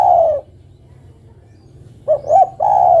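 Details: Female spotted dove calling for the male: one descending coo ends, then after a pause comes a full phrase of two brief soft notes followed by a long, level-to-falling mellow coo.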